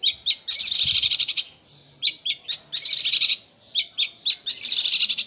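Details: Long-tailed shrike giving a fast rolling song likened to a sewing machine, with dense buzzy bursts of rapid notes that stop and restart several times, alternating with short single chips.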